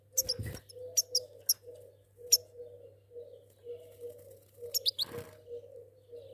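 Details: A pair of goldfinches giving short, sharp, high chirps in scattered bursts. A steady low hum and a mid-pitched tonal drone run underneath throughout.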